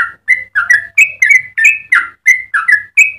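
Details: Yellow-vented bulbul singing its lively long-running song meant for tutoring birds and triggering other bulbuls, a fast run of short gurgling whistled notes, each slurred up or down, delivered about three times a second over a faint low hum.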